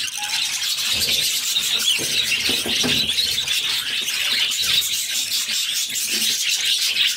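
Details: Budgerigar chicks, six in number, squeal constantly while being fed by their mother, a dense high chorus of rasping notes and quick squeaks with occasional soft knocks.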